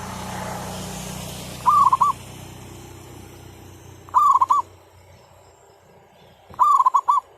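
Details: Zebra dove used as a decoy to lure wild birds for trapping, on a cloudy day after overnight rain while many birds are nesting: three short stuttering, purring coo phrases, each about half a second, spaced roughly two and a half seconds apart, over soft background hiss.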